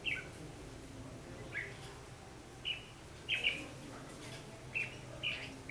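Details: Lure red-whiskered bulbul singing a fighting song during trapping, 14 December 2015: brief, bright two-note chirps repeated roughly every second, with a low hum behind.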